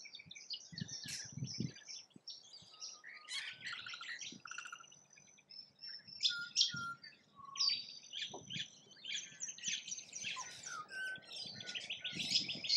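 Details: Rainbow lorikeets feeding in Australia: dense, overlapping harsh screeches and shrill chattering notes from several birds, with brief clear whistles mixed in and some low thumping knocks underneath.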